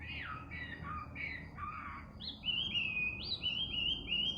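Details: Bird heard singing in the middle of the night: a few falling whistled notes, then a quick run of short rising and level whistles repeated in a steady series, over low background noise.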